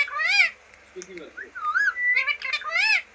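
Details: Talking green parrot kept as a pet, uttering rich harmonic word-like sounds with wavering pitch, a soft low babble in the middle and a longer whistled note, ending in another loud speech-like syllable.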